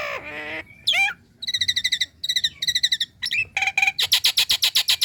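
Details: Calling female Nias hill myna summoning the male: a warbled nasal phrase and a sweeping whistle, then clusters of rapid ringing notes in short bursts. It finishes with a steady run of loud, harsh, clipped calls.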